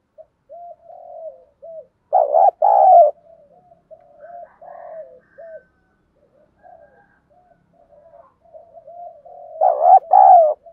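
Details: Spotted dove used as a lure bird, giọng thổ sấm voice, giving many short soft coos in a run, broken by two loud double-noted cooing phrases near the start and end.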